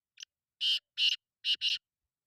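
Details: Kala titer, the black francolin, gives a short lead note followed by four loud, harsh, buzzy notes, the last two closely paired, against an otherwise silent background.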